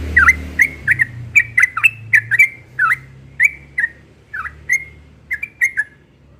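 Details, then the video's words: Yellow-vented bulbul in insistent morning ropel song, a fluent chain of rich bubbling whistles dipping and rising, slowing toward the end, over a low rumbling background. "Burung Trucukan Ropel pagi NGOTOT"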